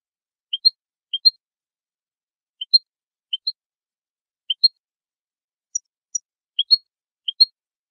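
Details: Song of a European goldfinch, offered for training birds: bright two-note chirps, low then higher, given in loose pairs with uneven pauses and a few sharp high ticks between, otherwise quiet.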